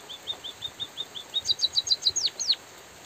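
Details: White-headed munia (bondol haji) singing, from a training recording: a string of short, even, high chirps, then a quicker run of sharp, down-slurred notes with two longer drooping whistles at the end.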